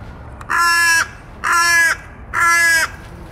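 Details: Crow calling for peanuts, fries, sandwiches and junk food: three loud, harsh, drawn-out caws, each about half a second long, spaced roughly one second apart over a quiet background.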